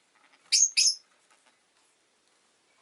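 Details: A pair of shrill, squeaky chirps from a rosy-faced lovebird, close together and very high, then near silence and the faint start of another call.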